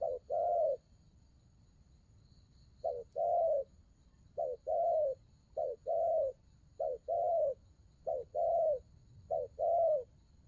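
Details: Spotted dove with đồng gù rước coos: one paired hoot, a quiet gap of about two seconds, then a regular series of short-then-long mellow low notes roughly once a second.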